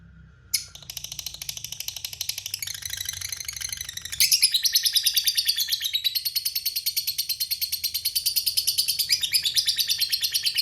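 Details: Lovebird giving its prized long 'ngekek panjang' chatter: after a brief note, a sustained, very high, rapid buzzing trill of evenly pulsed notes runs for about ten seconds, with pulses speeding and swelling in loudness partway through.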